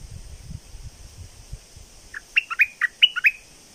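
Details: Red-whiskered bulbul used as a decoy in breeding season: low rumbling noise first, then a fast phrase of six or seven bright, slurred whistles.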